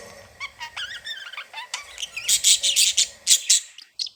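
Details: Playful budgerigars sing: a few wavering whistled notes at the start, then a run of loud harsh buzzy chirps repeated roughly twice a second, ending abruptly.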